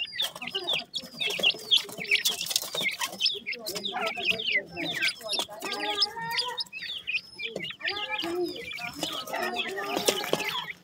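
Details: Several francolin chicks peeping constantly, sharp high chirps tumbling over one another, broken by bursts of scratchy noise and a few low, buzzy clucking notes.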